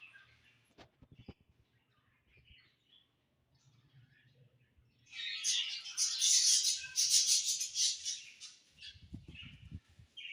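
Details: Budgerigars on a summer evening: faint ticks and quiet chirps at first, then a loud three-second burst of dense, buzzy chattering, followed by low rumbling knocks.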